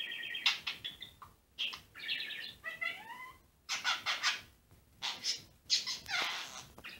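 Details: A blue pet budgerigar chatters in bright, varied warbles with clicks and squeaky chirps while interacting with its owner's finger.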